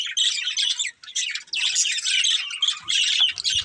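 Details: Pair of breeding budgerigars gives harsh scratchy squawks and chattering warbles in short bursts separated by brief silences, with a few thin whistled notes mixed in near the end.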